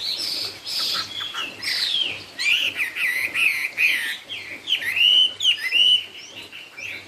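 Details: Chinese hwamei singing in the 'cao cầu' style: loud, varied whistled phrases, many slurred downward or arched, delivered in quick bursts separated by brief gaps.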